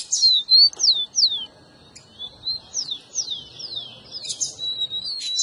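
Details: Rufous-collared sparrow song played to stir a pet bird into singing: a run of clear, high whistled notes, each sliding steeply downward, given in quick series with short gaps, over a thin steady high tone.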